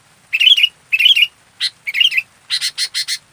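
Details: Local sooty-headed bulbul in full activity on a training master: warbled whistled phrases repeated about twice a second, then a quick run of five rasping chatter notes.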